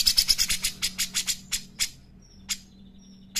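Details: Black-crested bulbul song meant as a training recording for other birds: a rapid burst of high chirps slowing to spaced notes, with a few thin whistles and a steady low hum underneath.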